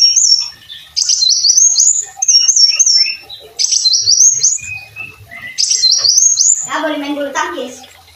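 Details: Brown-throated sunbird in vigorous song, recorded for training other songbirds: high, glittering phrases of stepped rising whistles and lower twitters, followed by a coarse, buzzy rasp toward the end.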